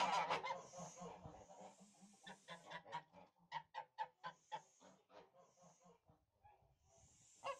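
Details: Domestic Tula fighting geese from Russia give a string of short nasal honks, roughly three or four a second, fading and surging, with faint hissing notes between the honks.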